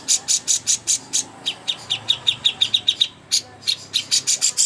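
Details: Master song of cucak hijau for contests: loud bright chirps, then a quicker run of thinner high notes, a brief pause, and strong chirps again.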